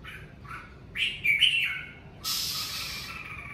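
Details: Red-whiskered bulbul singing naturally at home during the covid season: a few soft chirps, then a loud rolling whistled phrase, ending in a long rustling hiss.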